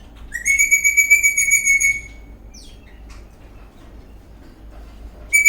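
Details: Eastern rosella parrot dancing in a happy mood gives one long, steady, pure whistle of about a second and a half, followed by a few faint chirps, then another whistle starting at the end.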